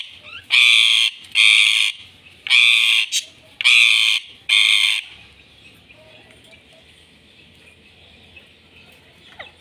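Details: Pet talking parrots that speak Urdu and Hindi: one gives five loud, harsh, voice-like bursts of about half a second each, roughly one per second, then falls quiet with faint background noise.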